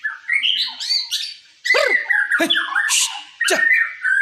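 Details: White-rumped shama (murai) in sujud song, opening with warbled whistles, then sharp notes that sweep steeply downward, a harsh high burst, and a steady whistled tone at the close.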